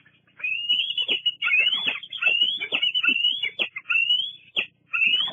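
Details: Juvenile bald eagle at Fraser Point, on 08-08-22, squeeing at adults arriving at the nest: a run of high, thin, wavering squealing notes, some drawn out and some clipped, with brief gaps between them.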